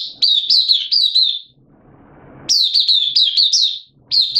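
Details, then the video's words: Songbird hobby recording of a caged oriental white-eye (Mata Puteh) singing: quick high twittering phrases, a brief pause filled with faint rustling, then a sharp resumption of bright looping chirps. "Mata Puteh Kitaro Buka Sing"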